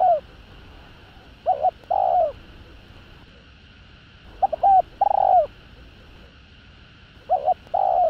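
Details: Spotted dove (cu gáy) giving coos to stimulate male doves: three spaced phrases, each a pair of quick short notes followed by a longer mellow coo that drops at its close.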